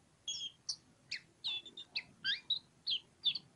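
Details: Ngobra song of a kacer, the oriental magpie-robin: bright, high chirps and twisting whistles repeated in quick succession.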